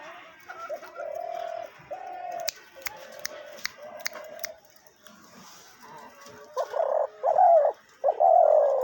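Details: Decoy dove used for hunting, offered for sale, cooing in low, steady, hollow notes, several in a row, with sharp clicks and some chirping nearby, then louder, rougher coos toward the end.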